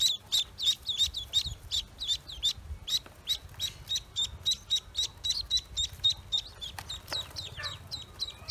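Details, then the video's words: Freshly hatched Pekin ducklings on a farm giving a continuous stream of shrill, high peeps with quick downward slurs, several calls overlapping at an uneven rate, with low background rumble. "Newly Pekin Ducks Hatched On My Farm"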